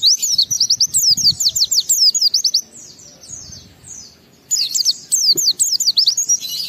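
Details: Oriental white-eye lure song meant to spur other birds to sing: a fast chain of thin, downslurred whistles packed closely together, a quieter gap of softer notes midway, then the rapid high series resumes strongly.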